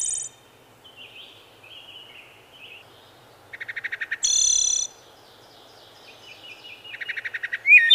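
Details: A wood thrush sings a sequence: high thin trill, soft wavering whistles, a burst of rapid stuttered low notes, a ringing high trill, then more whispery notes and another stuttered run ending in a sharp whistle.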